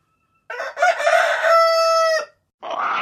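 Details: Rooster crowing at a rural dawn: a full crow with a rough, wavering opening and a long, level, ringing held note, followed by the start of a harsher second call from another bird.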